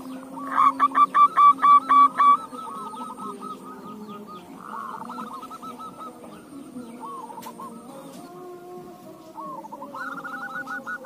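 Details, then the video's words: Zebra dove song used as a lure to get other doves singing: a short burst of loud, rapid cooing notes at the start, then softer trilled coos continuing against background doves and a faint tonal hum. "PANCINGAN SEMUA JENIS KUTUT || malas bunyipun nyahutt"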